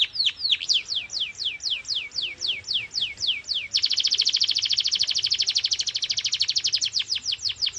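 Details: Canary in full song, meant to stimulate silent birds: a run of quick descending sweeps gives way to a dense, buzzy rapid trill, then falling notes return.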